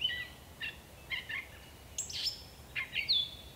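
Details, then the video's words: A singing gray catbird in bush gives soft warbled notes, then a rising squeal and a clear slurred whistle, phrases spaced about half a second apart against faint background noise. "Gray Catbird Singing"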